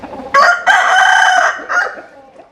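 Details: A rooster crows loudly and close: a short opening note, a long sustained harmonic middle section, and a quieter trailing tail note before it fades.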